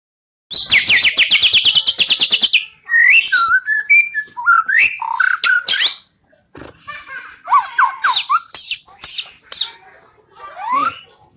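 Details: White-rumped shama in melodious song: a fast burst of harsh buzzy rattled notes, then varied loud whistles, slurs and sharp chips in quick phrases with short pauses, some rising sweeps near the end.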